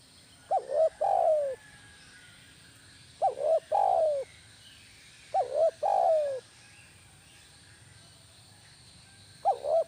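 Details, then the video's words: Spotted dove kept as a kuk 1 lure bird gives four coo phrases, about every two and a half seconds, each a clipped opening note and a drawn-out falling coo. "suara burung tekukur masteran kuk 1 GACOR"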